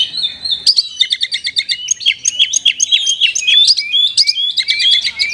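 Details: Oriental magpie-robin, an energetic singer with a rich song full of imitations, played to spur sluggish caged birds to sing. Dense run of sharp whistled notes and quick chirps, mostly high-pitched, after a brief softer opening warble.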